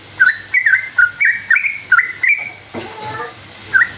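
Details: Sooty-headed bulbul giving a rolling lure song to stir other bulbuls into replying: about eight quick, sweet whistled notes in under three seconds, then a pause and one last note.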